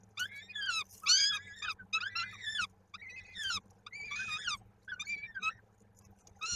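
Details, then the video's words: Nest of peregrine falcons in Koszalin, 16 May 2022: a chick calls while fed, its foot trapped in the beak; shrill, arched squealing notes in five or six bursts over a low steady hum. "Nila karmi horror małemu łapka utknęła w dziobie"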